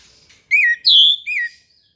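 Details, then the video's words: Orange-headed thrush singing in the morning, used to encourage caged thrushes to sing: one clear three-note whistled phrase with a rising-falling first note, a louder higher middle note, and a lower falling last note. "PANCINGAN ANIS MERAH"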